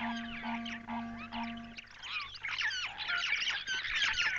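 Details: In morning sunlight, a flock of Cape glossy starlings gathers on an umbrella thorn in the African bushveld, chittering excitedly in a dense jumble of squeaky, twanging overlapping notes after a steady low droning tone at the start.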